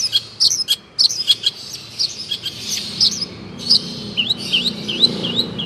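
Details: Long-tailed shrike in a training recording for caged birds: rapid, varied high chirps and twittering notes in quick bursts, then a run of looping, rising and falling whistled phrases near the end.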